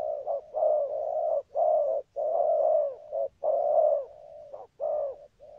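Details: Spotted dove (chim cu gáy) with a good song and its "thúc gù" cooing: low, hollow, throaty coos grouped in phrases, each short note followed by a longer drawn-out coo, repeated roughly once a second.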